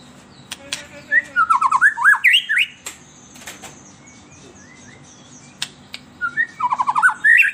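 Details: An agitated White-rumped shama gives its melodious lure song for kept shamas. Loud rapid phrases of warbled, zig-zagging whistles come in two bursts, with faint clicks and quieter notes between them.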